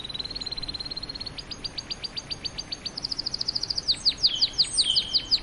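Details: Canary singing a steady series of sharp repeated chirps, first low-level then a faster high-pitched run, ending in louder downward-swept notes, over constant background hiss.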